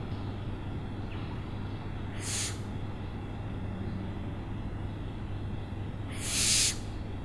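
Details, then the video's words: Two separated hissing, noisy screeches from an owl, roughly four seconds apart, the second louder and longer, against a constant low-pitched background drone. "OWLS SOUNDS"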